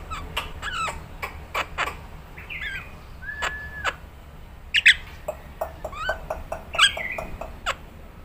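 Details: Nias hill myna song offered as a training recording for songbird keepers: varied whistles, sharp clicks and short buzzy notes delivered in irregular bursts, one longer flat whistle midway, over a steady low background hum.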